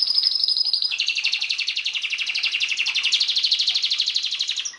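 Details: Canary in a master recording for songbird training: a high whistled note opens into a dense, buzzy rolling trill held steadily for about four seconds.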